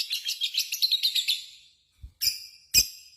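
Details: Lovebird with a brief burst of fast, high chattering that fades, followed by a pause and two sharp, isolated squeaky notes.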